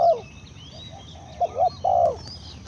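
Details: A single low cooing phrase of a spotted dove: two short notes and then a longer falling coo, with thin high bird calls in the background.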